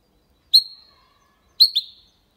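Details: Goldfinch and canary hybrid, sung clean as a Málaga-style copy meant to stimulate females and teach young birds: two separate bright, sharp notes with a short tail, about a second apart, in otherwise silent surroundings.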